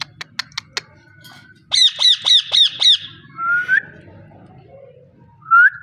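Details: Parrot giving a few sharp clicks, then five rapid buzzy squawks in a quick row, a short rising whistle and a final bright whistled note after a pause, over a soft low background hum.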